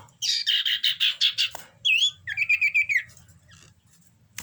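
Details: Common iora in breeding condition, heard as a fast string of about ten buzzy, harsh notes, then a sharp upward whistle and a short trilled whistled phrase sliding downward.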